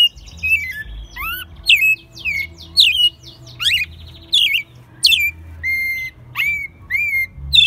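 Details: Home-reared American robin in Mexico City, in its second year of singing, recorded March 2020; a rapid string of buzzy, squeaky high notes and short slurred whistles, somewhat rough, continuing without pause.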